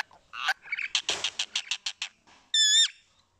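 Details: Rose-ringed parakeet known for mimicking human speech utters a rapid series of about nine clipped raspy syllables, then after a brief pause a loud drawn-out harsh screech with a wavering tone.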